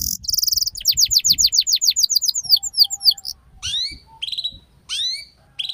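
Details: Canary ngeriwik song used to teach young canaries: a short buzzy trill opens into a rapid run of high downward-sweeping notes, followed by spaced rising slurred whistles.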